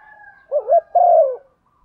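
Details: One coo phrase from a female spotted dove stimulating the male: a quick wavering two-note hoot followed by a longer, gently falling low coo, with a faint steady tone before it.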